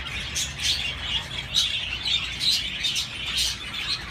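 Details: Budgerigars chirping: dense, continuous high warbled twittering with short bright chirps and buzzy notes overlapping, several birds calling at once, steady low background hum.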